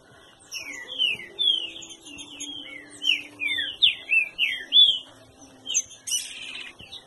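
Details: Green-winged saltator kept at a breeding aviary, singing a run of loud, clear whistled phrases, each note sliding down then up, repeated about every half second, with faint high chirps from other birds and a low steady hum behind.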